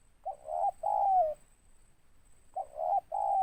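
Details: Loud local spotted dove singing the ngeruk style with tindan, two paired coos each ending in a long, slightly descending mellow note, repeated after a short pause, with a faint steady hiss.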